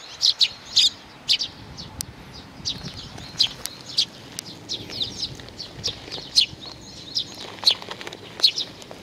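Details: Sparrows visiting to be fed, 15 May 2019: scattered, thin chirps sound at uneven intervals over quiet background noise, some notes doubled in quick pairs.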